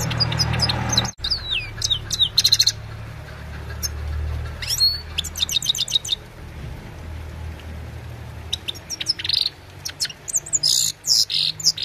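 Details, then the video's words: Himalayan goldfinch singing in the evening: a quick, tinkling song of high twittering notes and liquid trills in short bursts, with a low hum in the background. "Gold finch simple singing this is really amazing bird song"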